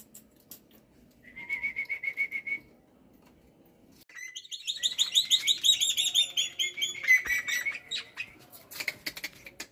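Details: Lively morning song of a pet black-winged myna: a short run of quick whistled notes, a pause, then a long jumble of chirps and rich whistles ending in scratchy clicks.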